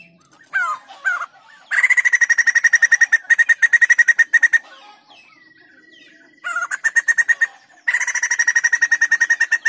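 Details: White-crested laughingthrush singing steadily, kept for training other birds or prompting them to sing: a few short slurred notes, then long fast trains of evenly repeated harsh notes, broken by short pauses and one thin drawn-out whistle.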